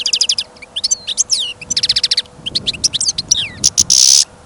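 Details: Energetic singing from a caged European goldfinch outdoors in snow and wind: quick pulsed trills, slurred rising whistles, jangling twitters, ending in a harsh, sustained buzz.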